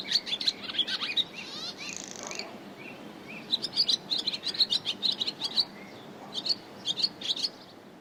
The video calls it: Swallow [Hirundo Rustica] Sound